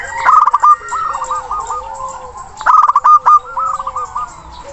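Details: Local zebra dove singing loudly to call a rival, used to prompt silent birds: two rolling cooed phrases, each opening with a burst of sharp staccato notes, then wavering trilled coos, over steady low background hum.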